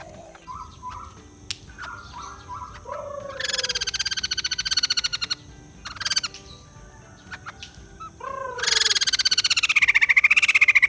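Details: White-crested laughingthrush: soft whistled notes and short sliding calls lead into bursts of fast, pulsed cackling chatter. A longer, louder rattling burst closes the sequence, and its pitch wavers as it fades out.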